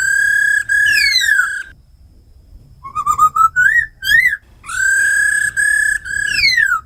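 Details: Tame black laughingthrush singing in forest voice alongside a female's ro khẹt calls, meant to provoke wild-caught birds; long rich notes with steep downslurs, a pause, then rising whistled phrases.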